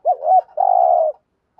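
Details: Single coo from a caged spotted dove decoy used to attract wild doves: a quick looping double note running into one long, level, slightly buzzy coo.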